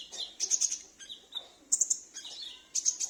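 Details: Caged sunbird answering another bird, recorded at home as a lure: clusters of very high ticking chirps alternating with thinner drawn-out whistled notes, in short bursts with brief pauses.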